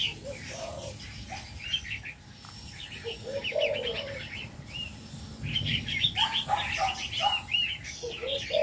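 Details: Male red-whiskered bulbul of the crested 'đầu lân' type singing in an aviary: bursts of quick, bright chirped phrases. Low, arched cooing notes repeat underneath, and there is steady background hum.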